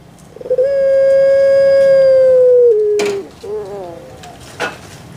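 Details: A long, level mid-pitched note from a kept Javanese puter pelung dove is held for two seconds, dips to a lower tone, then gives way to softer trailing notes, with a couple of sharp clicks.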